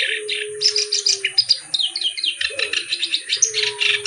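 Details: Rapid, rasping chatter from a kerak basi reed warbler, its harsh notes tumbling in quick succession, while a faint steady hum runs underneath.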